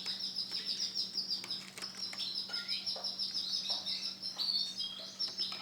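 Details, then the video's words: A white male canary sings a long, high, rapid rolling trill with pulsing beats, broken by short sharp chirps and brief falling notes, over a faint constant hum. "CANARY JANTAN PUTIH"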